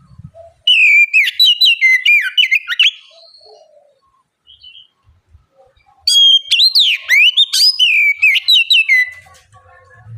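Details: Oriental magpie-robin in vigorous song, played as a bait recording to coax untrained magpie-robins into answering: two loud bursts of fast, varied whistled phrases with quick slurs and chips, separated by about three seconds of near silence.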